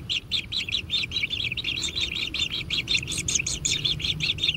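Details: Young kingfishers at a natural nest, being fed and begging more and more urgently: a quick stream of scratchy, buzzing chirps, closely spaced and slightly uneven in rhythm.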